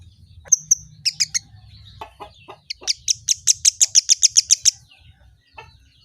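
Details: Kemade bird, said to answer any sound at once, giving quick high bursts of sharp chirps, then a fast run of about fifteen bright, evenly spaced notes that fades away, over a faint low hum.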